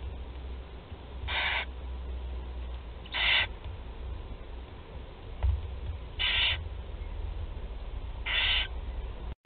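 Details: Four barn owl chicks at feeding time, 16 July 2020, at Théding, France, give four harsh, breathy hisses, each under half a second and spaced two to three seconds apart, over a low steady rumble.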